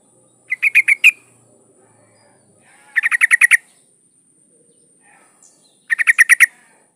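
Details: Yellow-vented bulbul female, in breeding condition, calling for a male: three rapid bubbling chatters of five to seven notes each, roughly every two and a half seconds, with a faint high electronic whine.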